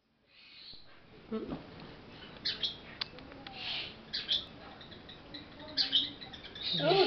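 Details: A male pet Monk (Quaker) parakeet gives scattered harsh chirps and squawks, ending in a burst of raspy chatter.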